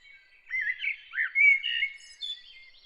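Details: Bird singing early in the morning: clear warbled whistles wavering in pitch, a few linked phrases with a high thin note near the end, in a quiet background.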